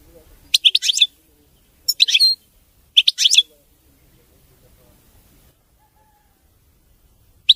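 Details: European goldfinch singing a clean song without errors: three quick, high chattering bursts within three seconds, then quiet with soft low background noise and a final brief chirp.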